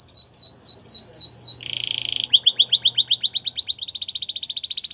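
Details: Russian canary song for canary training: slow repeated upward-curving whistles, a dense buzzy burst, then quickening series of sweeping notes ending in a rapid, even high trill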